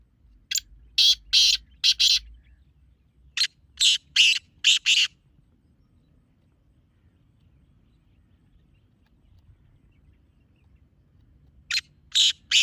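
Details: Black francolin calling, a recording played to lure in francolins: loud, harsh, grating notes in tight bursts of two to four, spaced by pauses, with a long silent gap before a final triple burst.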